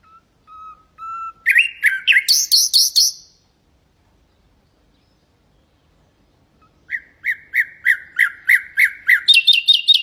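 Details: Common nightingale song for tutoring goldfinches and canaries: soft low whistles lead into rapid rasping trills and a high buzzy burst, then after a pause a long run of quick repeated notes ending in high twittering.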